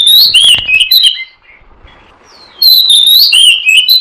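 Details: Loud, clear whistling from an oriental magpie-robin, played to lure birds: sweeping melodic notes with high overtones, a silent break of about a second, then another bright warbled run.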